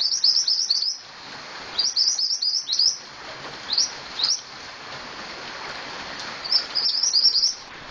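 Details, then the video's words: Scarlet-headed flowerpecker singing actively: very high, thin, rapid chipping bursts repeated in short clusters of about one second, with brief pauses between, over a faint background hiss. "Burung Mantenan Gacor"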